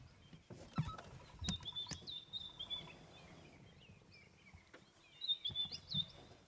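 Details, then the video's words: White-browed Scrub Robin singing around sunrise on an African safari morning in bursts of high, sweet, slurred whistled phrases, with sharp ticks and clicks from a bearded woodpecker and a low engine-like rumble underneath. "That is the sound, everybody, of a beautiful African morning. It's a white-browed scrub robin you can hear going."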